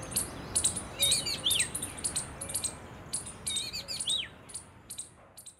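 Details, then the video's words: Oriental magpie-robin recorded on 31 March 2023, giving quick, varied whistled notes with sharp upslurs and downslurs, mixed with scratchy chips, over a soft steady background hiss. "Oriental magpie-robin Birds call"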